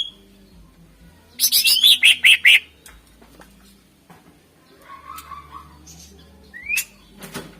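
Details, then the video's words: Greater green leafbird (cucak ijo) singing vigorously ('gacor'), a recording used to lure contest birds: a fast run of about six loud, buzzy, down-slurred notes, then a low warbled phrase and a short rising whistle before a harsh rasp. "Suara Full Cucak Ijo Gacor Ampuh Untk Pancingan Burung Kontes"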